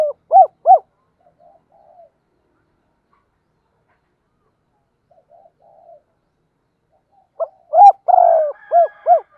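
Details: Spotted dove decoy bird calling in the morning: a short, clear, low cooing phrase with two arched coos at the start, quiet murmurs between, then a louder burst of coos near the end.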